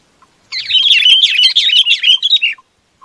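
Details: Chinese babax calling to its flock: a dense two-second burst of rapid, bright, chattering notes, each sliding up and down, run together at about three per second with little pause, no other sounds.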